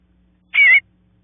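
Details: A single brief, rasping buzzy call from bluebird babies in the nest, waiting for their parents to call them out, against a faint low background hum.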